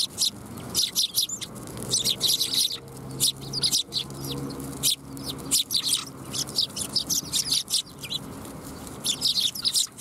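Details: Dense chattering of many sparrows coming to be fed at a Tenmangu shrine, 7 January 2021, rapid overlapping high chirps almost continuous throughout, with a faint low hum underneath.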